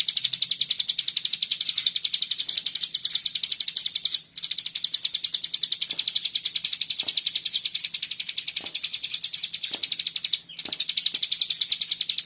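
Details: Fast, machine-gun-like 'bren rapet' song of a common iora: sharp high notes pour out almost without pause for over twelve seconds, with two tiny breaks and a few soft clicks.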